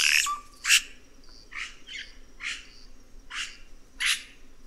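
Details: Red-rumped cacique calling in a loose series of rough, raspy notes about one per second, opening with a brief clipped buzz, steady low hum underneath.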